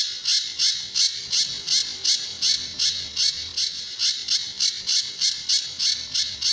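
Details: Pijantur or Sunda bush warbler, in a master recording for tutoring other birds, with its tembakan and besetan song styles: a steady train of scratchy, explosive high chips, nearly three per second, evenly spaced.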